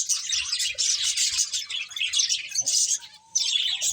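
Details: Finches playing, with continuous busy high chirping and twittering, a brief lull near the end, then chirps resume.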